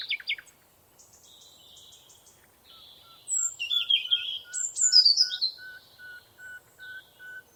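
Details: Birds chirping in a forest: varied high whistled and buzzy phrases from several birds, with a steady repeated short note pulsing about every half second in the background.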